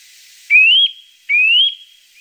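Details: Eurasian nuthatch call used as a lure: clear, rising whistles, two in a row about a second apart, each sliding upward to a steady high note; faint hiss behind.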